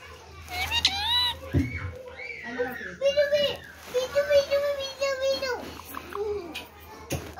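An Indian ringneck parakeet talks in a high, childlike voice, with several quick word-like phrases in a row. A couple of dull knocks sound in a small room.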